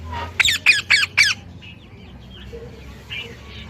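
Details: Parrot giving four harsh, loud squawks in quick succession, about a quarter second apart, then fading into faint background chirps and twittering.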